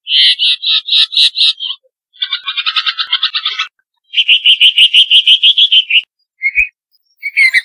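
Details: Red-vented bulbul of the Central Indian race humayuni, Rajasthan: harsh, buzzy chattering bursts of rapid pulses, five to ten per burst, in four runs separated by short pauses, ending with two brief rasping notes.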